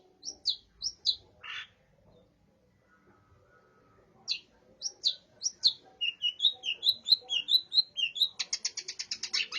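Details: Long-tailed shrike singing a song filled with burung gereja (sparrow) mimicry: a few high chirps, a short pause, then a rapid run of sharp, varied chips ending in a dense buzzy rattle.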